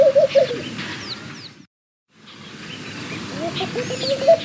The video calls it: Laughing Dove - Calls